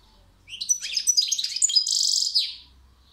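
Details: European goldfinch singing a quick twittering phrase of high, tinkling notes and short slurred whistles. It ends in a dense, buzzy rattling trill lasting about half a second. The background is quiet.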